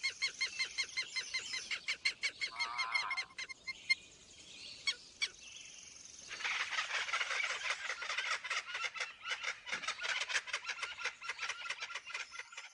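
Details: Southern lapwing in the savannah giving strident, harsh notes in quick, uneven runs, about three per second, with a brief lull midway before a denser burst of calling.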